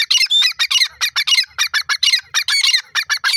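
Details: Grey francolin (teetar), described as a bhora Irani fighting teetar, calling loudly with rapid harsh, ringing notes in quick grouped bursts, almost two per second, dominating a quiet background.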